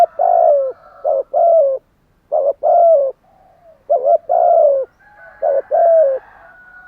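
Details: Spotted dove, a kept songbird, cooing in the morning: repeated three-part phrases of short notes and a long falling coo, closely spaced, with soft thin background calls of other birds.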